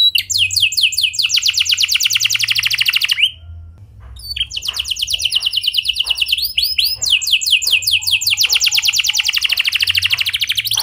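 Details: Clear rolling canary song used to encourage other canaries to sing, with fast high trills of repeated notes, a brief pause, then more rapid rattling trills and buzzy phrases.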